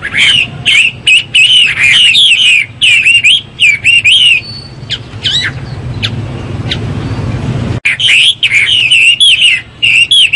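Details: Chinese hwamei pouring out bright whistled phrases, twisting up and down, broken by a pause of a few seconds with only faint background rumble before the loud, varied song resumes.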